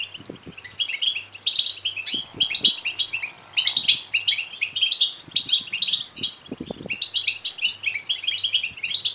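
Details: European goldfinch chicks begging, played to stimulate males to sing and mate: dense, overlapping high chirps and twittering notes in rapid bursts, with faint low thumps and a steady low hum beneath.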